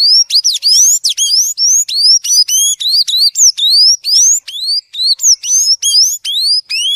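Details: A tanager sings its "violino" song, a fast, unbroken run of high, sweet whistles, each note sliding sharply upward, several notes every second. No other sounds stand out.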